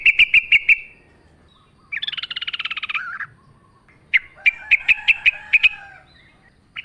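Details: Yellow-vented bulbul in energetic wild-style song among nature sounds, used as a lure: a quick row of bright notes, a buzzy harsh chatter, then a further string of sharp chirps with a faint lower voice beneath.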